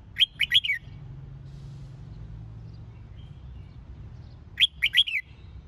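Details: Red-whiskered bulbul competition-training song: two bursts of three to four fast, bright whistled notes, repeated after about four seconds, with a low hum in the background.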